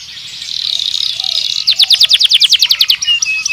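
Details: Canary song opening with a high buzzy rolling trill, then switching to a loud series of clear, rapidly repeated descending notes, about a dozen in quick succession.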